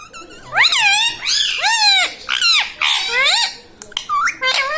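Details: Indoor pet parrot that is said to talk, saying words like mummy and radhe radhe; loud, closely spaced arching harmonic squawks in a near-continuous string, ending with shorter higher clipped notes.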